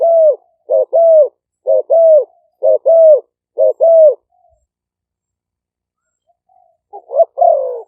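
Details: Spotted doves used to lure wild birds, live recording from Roi Et, Thailand, Malay and lively strains: a fast run of paired coos, a short clipped note then a longer falling one, repeated five times, then a closing rough phrase.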